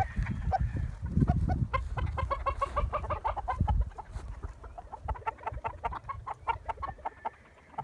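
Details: Many chickens cluck in rapid, overlapping short notes, louder at first with low thumping noises, fading to quieter clucking later.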